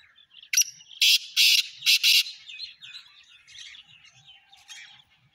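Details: Black francolin calling: a few loud, harsh, grating bursts in quick succession, followed by softer chirps and twitters of other small birds in the background.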